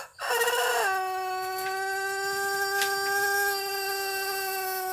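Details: Pelung rooster of the Cianjur breed giving its long crow: a rough rising start, then a steady, rich, mid-pitched tone held for about four seconds without a break.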